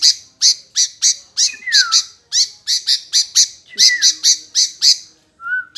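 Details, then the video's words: Sooty-headed bulbul calling back without pause. Bright, harsh chirps come in quick, regular bursts, with a few downslurred whistled notes mixed in. A short whistle closes the clip. "Tak Mau Diam Nyaut Terus Burung Kutilang"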